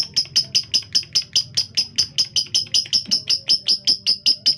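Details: Female lovebird kept for song contests, with a rough, fast voice: a steady series of sharp, high chirps, roughly four per second, each note clipped and bright, over a faint low hum from an indoor room.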